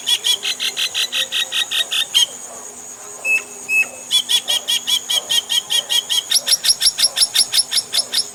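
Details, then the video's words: Indian common myna delivering long fast runs of repeated harsh, chattering notes, about two or three per second, broken by a brief pause with two thin whistles, with shrill insects droning behind. "Indian Common Myna Birds Calling Sound"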